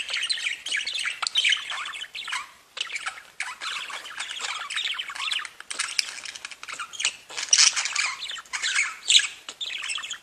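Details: Several pet budgerigars sing and tweet together in a dense, unbroken warbling chatter of rapid high chirps, squeaks and buzzy notes, with brief pauses near three and six seconds.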